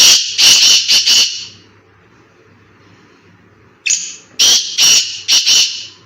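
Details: Black francolin calling in a forest: a thin opening note, then three or four loud, harsh, grating notes. The phrase is given twice, with a quiet gap of about two seconds between.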